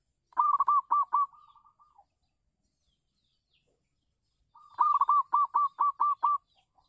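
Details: A local zebra dove kept on a home terrace for luring other doves gives two long phrases of rhythmic, pulsing coos, each loud at first then fading into softer trailing notes.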